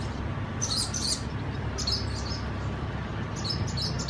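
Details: Swallows at a colony of nests give a few sharp, high chirps in short bursts separated by quieter gaps, with more chirping at the end, over a low hum.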